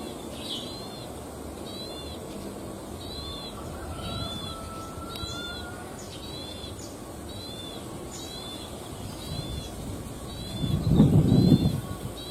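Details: In the wild in rice fields, a plain prinia repeats short high paired chirps in a steady rhythm, roughly one per second, against rumbling ambient noise that swells into a loud thump near the end.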